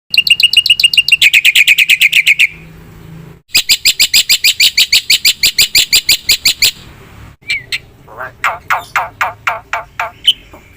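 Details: Black-winged myna (jalak putih) singing vigorously in a full, varied song: bursts of harsh, rapidly repeated chattering notes, about three per second, broken by short pauses and ending in a sparser run of sharp upslurred calls.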